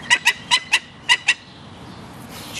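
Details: Begging screams from a two-week-old Barbary falcon chick as an imprinted one-year-old gyr x peregrine female feeds it: six short, rasping calls in a fast burst over about one and a half seconds, then quiet.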